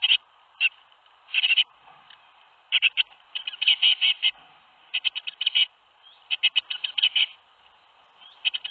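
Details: Nest box tits in Théding on 21 May 2019, during the day seven young fledged: clustered bursts of harsh, buzzy rapid notes separated by quiet gaps of about a second.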